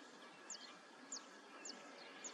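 Curlew sandpiper giving brief, high, thin chirping notes about every half second, each dropping slightly in pitch, over a steady background hiss.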